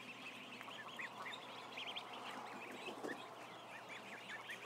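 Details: A barn crowded with about a thousand ducklings, whose packed, steady peeping forms an unbroken high twittering wash with no clear gaps.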